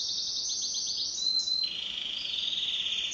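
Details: Canary kept as a pet, singing in duet: rapid high rolling trill that slides into a thin whistled note, then a sustained lower buzzy tour.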